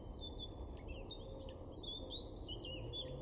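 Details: Male Eurasian blackcap singing in a garden in Weener, East Frisia, in Germany's far northwest, May 2022: a rapid run of varied high chirps, whistles and short trills. A steady low hum sits underneath.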